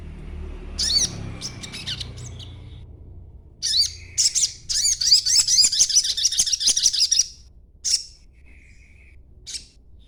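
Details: Chattering young crimson sunbird, still green, used to lure other birds into answering; stuttering high twitters build into a long rapid trilled run, then isolated chips.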